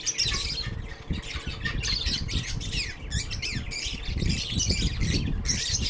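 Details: Lovebirds at a shelter for sick birds chatter loudly and continuously, with rapid scratchy chirps and squeals, over steady low rumbling room noise.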